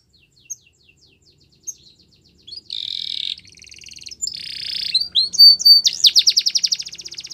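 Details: Canary song that opens with sparse, faint high chips, then breaks into loud buzzy high trills, a rasping rolled phrase and a fast series of descending sweeps near the end.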